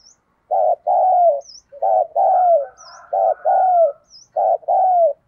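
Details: Spotted dove lure call: steady paired coos, a short note then a longer falling one, repeated about every second and a half, with small high chirps of another bird between phrases.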